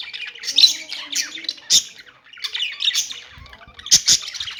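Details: Budgies giving scratchy, rising and falling chirps in uneven bursts, with two sharp clicks near the end and a faint low hum early on.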